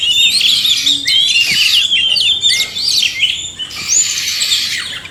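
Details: Oriental magpie-robin male and female in chorus, played to prompt reluctant captive birds to sing; bright, fluid whistles and chattering, rapidly changing phrases with upward and downward slurs, almost without pause.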